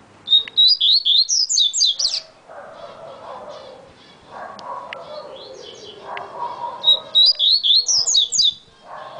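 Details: A yellow-bellied seedeater (coleiro baiano) sings very fast, rippling phrases of high chirped notes, each about one and a half seconds long, heard twice. Muffled lower sounds fill the pause between them.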